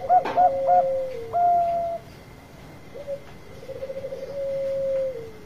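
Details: Lure song of a Bangkok zebra dove: quick cluster of short coos and a sustained note, then a long vibrating purr that holds its pitch and drops at the close; light steady hum behind.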